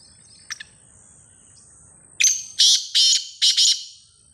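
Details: Black francolin giving a harsh call: a faint double note, then a loud run of four rasping, scratchy notes about a third of a second apart.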